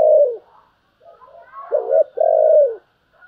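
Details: Spotted dove cooing in the 'gáy thúc' and 'gáy gọi' styles: low, mellow hooted notes, a short coo, quieter murmuring, then a two-part phrase ending in a long, slightly falling coo.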